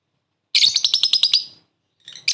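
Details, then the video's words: Lovebird giving its short laughing ngekek to call a rival, used as a lure: a one-second rattled burst of about eight shrill notes, then a brief harsh note after a gap. "Suara burung lovebird memanggil lawan + ngekek pendek mantap buat pancingan"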